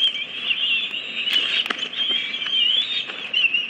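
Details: Aggressive, unbroken, shrill chattering from bald eagles at a DC nest as the female arrives with a stick rather than food, recorded 22 May 2017 with eaglets about 53 and 54 days old. The calls are accompanied by sharp knocks and scuffs.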